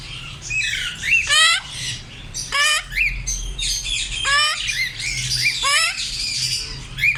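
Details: African grey parrots squawking and whistling, bursts of rising harsh calls and shorter chirps repeated irregularly, with a constant low hum.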